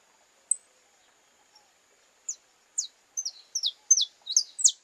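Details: Saffron finch (canário-da-terra) courting: after a lone high tick, sharp descending chirps start singly and then come faster in pairs, bright and high-pitched against a quiet background.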